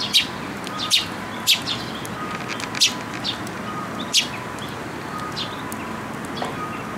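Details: Fledgling Eurasian tree sparrows coming to a post for feeding at a shrine on 28 May 2022; a series of loud sharp chirps about every half to one second over faint background hum.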